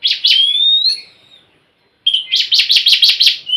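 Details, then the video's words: Oriental magpie-robin song meant to get a reluctant bird singing: harsh chirps running into a rising whistle, a pause, then a fast run of about eight rasping notes ending in a short whistle. "Siulan KACER untuk kacermu yang malas bunyi"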